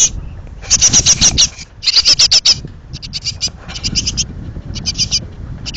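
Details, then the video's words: Hungry young great tits in a pollard willow, about to fledge, beg with bursts of high, hissing, rapidly pulsed chirps, each burst lasting about half a second and repeated in clusters, with a low rumble underneath. "jonge koolmezen"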